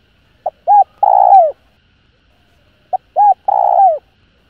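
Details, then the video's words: Spotted dove giving clear calling and urging coos to rouse other doves. Two identical phrases come about two and a half seconds apart, each a tiny pip, a rounded hoot and a long, rough coo that falls at the end. "Tiếng Cu Gáy GỌI +THÚC Kích Bổi Nhanh Nổi. Cu Gáy.Cu Đất Gáy hay"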